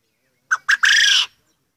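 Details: Dominant captive quail cock crowing repeatedly among other males in an aviary: a quick pair of short notes, then a drawn-out rasping, broad-toned note lasting about half a second, with nothing else audible.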